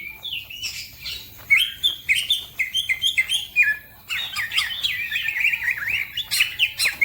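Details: Green leafbird pouring out rapid song that sets other birds singing; clipped whistled notes in a loose series, a short pause, then a denser run of warbled, wavering phrases.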